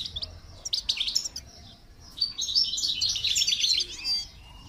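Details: Goldfinch being trained to sing, with a few sharp high chirps followed by a sustained, rapid, chattering twitter run, bright and liquid, before trailing off.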